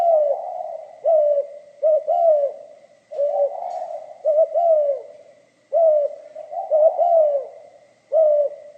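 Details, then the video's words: Spotted dove in the 'pha kim' mixed voice singing soft, low coos: clipped double notes each trailing into a longer falling tone, repeated steadily through the recording, with a faint electrical-sounding hum in the background. "Tiếng chim cu gáy giọng pha kim"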